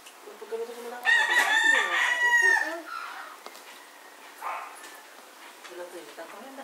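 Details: One of two conflicting roosters near a Puerto Rico cockfight in winter gives a long harmonic crow, followed by quieter scattered calls and faint background voices.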